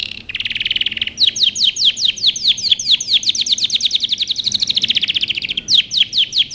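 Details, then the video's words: Powerful canary song meant for training: a short rolled buzz opens into a long series of quick descending notes, about two and a half per second, then a rapid trill. "canary singing over power canary most powerful song for best training"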